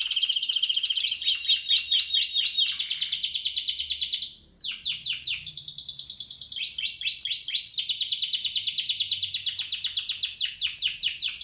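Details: Spanish Timbrado canary, 2017 bird, delivering a series of high rapid trills in distinct phrases, each a fast ringing roll, with a brief pause midway before the rolling resumes.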